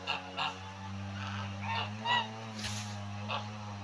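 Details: Male turkey circling and showing off while it gives its so-called song, a continuous deep vibrating hum with layered overtones, with short higher chirps and taps scattered over it.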